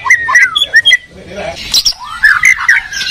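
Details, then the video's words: Murai batu, the white-rumped shama, dueling in full song between Medan and Borneo birds: sharp whistled notes and chirps in fast bursts, a brief lower rasping pause, then more loud, varied whistles. "Murai batu gacor medan vs borneo duel dahsyat"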